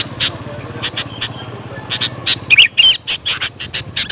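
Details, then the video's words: Sooty-headed bulbul calls used as a lure to attract wild birds: short, bright notes repeated in quick, uneven bursts, some with a clear whistled tone, growing busier in the second half over a low background hum. "Suara Burung kutilang untuk pemanggil Burung liar."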